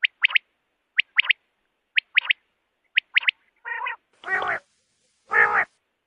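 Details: Common quail calling in the morning, Pakistan: sharp whistled notes in quick pairs and triplets about once a second, followed by three louder, harsher burry bursts.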